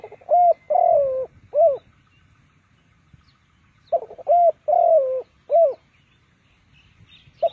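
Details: Spotted dove kept as a decoy to lure birds into a trap, repeating hoarse phrases of a short coo, a long sliding coo and a final rounded coo, with faint rustling in the background.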